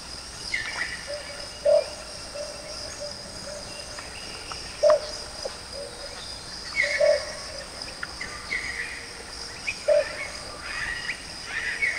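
Russet-crowned motmot giving short, hollow low hoots, single notes spaced two to three seconds apart, over a steady buzz of insects and faint chirps from other birds.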